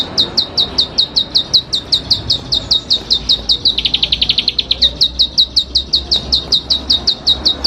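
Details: Constantly singing champion Bar-winged prinia: a rapid series of high, clipped chirps, briefly breaking into a denser, lower buzzy trill midway before resuming the even chirping rhythm.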